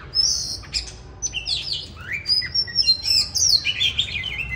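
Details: Wild-caught mature bird in winter 2023 singing in the 'than' style: rapid, varied clear whistles, high sliding notes and short buzzy trills crowded together, loud and continuous with brief gaps, over a faint low background hum.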